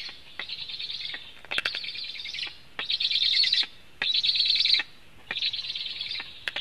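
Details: Black storks at a Latvian nest during a food delivery, nest camera, 24 July 2015, early afternoon; harsh breathy wheezes last about a second each, roughly one per second, separated by brief pauses and crisp clicks.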